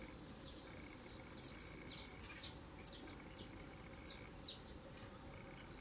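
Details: Young saffron finch singing a lot: thin, high chirps and short down-slurred notes in loose, uneven bursts, fairly soft against a steady background hiss.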